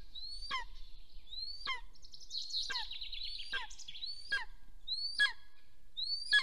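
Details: Golden eagles at a camera-watched nest in Soomaa National Park, Estonia, on the morning of 1 April 2024 as the female leaves and the male returns. Repeated high rising yelps that fall away abruptly, with a rushing, noisy stretch midway.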